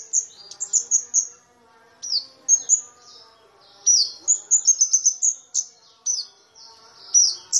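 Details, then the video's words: Kamade (cabe-cabean) flowerpecker, a small bird with a loud, ringing voice, giving thin, sharp, very high chirps and tinkling notes in quick bursts with pauses between phrases, over a faint low hum; used as lure material for training white-eyes. "Pancingan Cabe-cabean"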